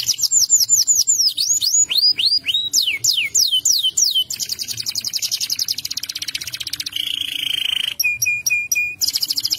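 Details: Loud canary song: series of arched downslurred whistles, then a fast even high trill, a sustained buzzy flat note, steady pure whistles and another rapid trill to close.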